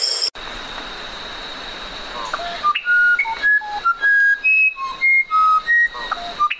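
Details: After a few quiet seconds of hiss, a musician wren starts a run of clear, pure whistled notes, each at a different pitch, spaced under a second apart.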